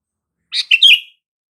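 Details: Sooty-headed bulbul giving a calling sound used to make silent bulbuls respond: one short, bright chirpy phrase with a quick note followed by a slurred, falling whistle, in otherwise quiet surroundings.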